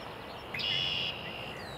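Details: Red-winged blackbird singing with its songspread display on a cold morning at Cornell Arboretum, 3 April 2020: a short, sharp opening note, then a harsh, buzzy half-second trill, over a soft outdoor hiss.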